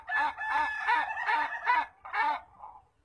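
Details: Ayam Ketawa, or laughing chicken, crowing in a long laughing style: a burst of about six quick, harsh cackling syllables strung together, ending in a softer trailing note.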